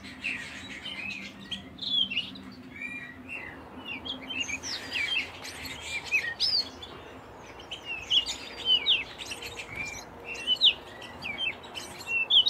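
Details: Singing canary giving a long, dense run of sharp chirps, trills and whistled slides. Several birds seem to overlap against a hiss of background noise.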